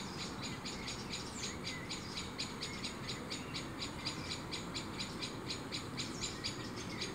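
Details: Two young tawny owls looking for food in a tree give harsh, hissing wheezes about twice a second, overlapping, over a steady low rumble; blackbirds squeak in the background, annoyed by the owls' closeness.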